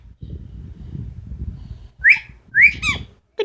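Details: Pet female Amazon parrot indoors giving two sharp, upward-sweeping whistled chirps and a short squawk, after a stretch of the owner's quiet talk.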